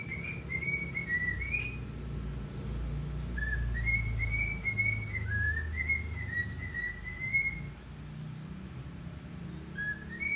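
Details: A pet cockatiel sings in the morning, whistling a tuneful run of clear, slurred notes over a low indoor rumble.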